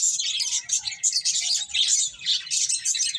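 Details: Eating finches produce a constant, crowded twitter of high, sparkling chirps, with thin whistled notes scattered through and almost no quiet gaps.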